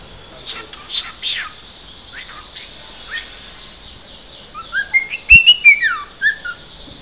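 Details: Cockatiel kept as a pet, known for saying "santos campeão" and singing parts of the Santos club anthem, opening with soft scratchy chatter, then a loud burst of bright rising and falling whistles with a sharp click, trailing into quieter slurred notes.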